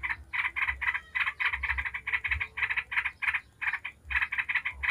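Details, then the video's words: Yellow-vented bulbul in a 'ngebren' chattering burst used to prompt other bulbuls to sing. Clusters of three or four gritty mid-pitched notes repeat with short pauses, over a faint low hum. "Trucuk ngebren bikin ribut trucuk manapun dijamin langsung nyaut ribut"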